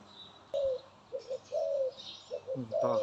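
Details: A pet dove's coos: soft low coos in a halting sequence of short and longer drawn-out notes, with a sharp click near the start and a brief low voice-like sound at the end.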